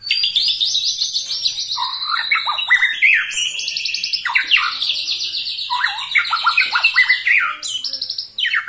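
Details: Twenty-one-year-old white-rumped shama in captivity singing vigorously: long rapid high trills and chattering runs layered with sweeping whistles, almost without pause.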